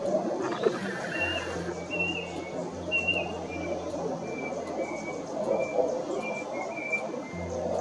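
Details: In Australian woodland or bushland, a brush cuckoo gives a series of short, thin whistled notes, a few slightly falling, about one each second, nearly covered by a dense background hiss and a low droning hum.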